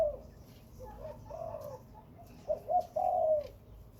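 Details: Spotted dove from Khmer and Malay breeding birds: soft, low wavering coos at first, then one clear phrase of two short notes and a long falling coo.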